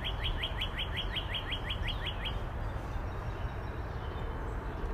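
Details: Northern cardinal delivering a rapid run of about twelve sharp, downslurred whistles in the first two seconds, then falling silent while a steady low background hum continues.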